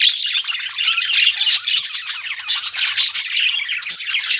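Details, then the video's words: Budgerigar chirping: a scratchy, warbling babble of many short notes, with a few bright whistled peeps standing out above the steady chatter. "BUDGIES CHIRPING SOUND"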